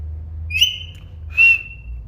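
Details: Parrot giving two long level high whistles, the second with a breathy burst at its start, over a faint low hum.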